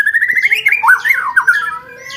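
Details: Training recording of white-rumped shama song for contest birds: a rapid rolling trill of wavering whistled notes that rise slightly, then a few louder looping whistles that fade into a quiet, steady tone.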